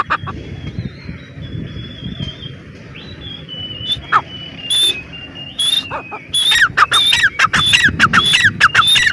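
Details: Grey francolin: a thin, drawn-out whistle at first over a rumbling background, then a few isolated notes, then a fast series of loud, harsh, rising squeaky calls in the last three seconds.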